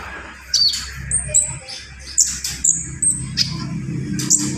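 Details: Javan pied starling singing gacor with full isian: separate high sustained whistles and sharp squeaks repeated about once a second over a steady low background hum.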